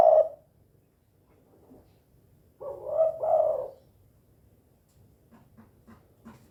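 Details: Spotted dove in the 'kuk 2' calling style, described as gacor (very vocal): a short low cooing note, then after a pause a longer two-part husky coo. Faint soft clicks follow near the end.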